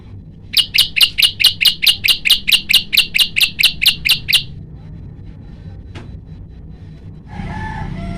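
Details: Male prinia recorded at night on a phone, delivering a rapid run of about sixteen identical sharp, high ticking notes, evenly spaced, then stopping; a brief click and low rumbling noise follow.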